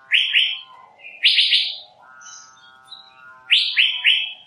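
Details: Asian fairy-bluebird delivering bright, quickly falling notes in threes, grouped into three bursts; between the bursts is a fainter, lower, steady buzzing tone.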